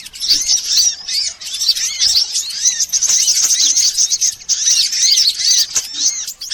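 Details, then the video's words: Sunbirds of all kinds used as a lure to attract birds: a busy chorus of thin, very high chirps and trills, with repeated arched lower notes and occasional faint clicks. "Suara pikat semua jenis burung kolibri"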